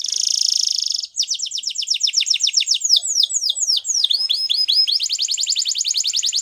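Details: Waterslager canary singing: a dense buzzing trill, then fast repeated falling notes, warbling dips and a long rapid rolling tour to the end.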